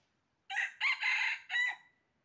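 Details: Red junglefowl crowing during trapping, recorded 20 January 2023: a loud, hoarse crow of four syllables over about one and a half seconds, a short note, two longer blaring parts, then a clipped fading ending, against a quiet background.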